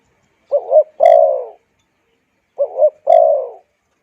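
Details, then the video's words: Spotted dove cooing, a sound played to excite wild doves and train decoys: two phrases, each a short double-humped coo and then a long falling coo, in a quiet setting. "Tiếng Chim Cu Gáy dùng kích Bổi luyện Mồi hay"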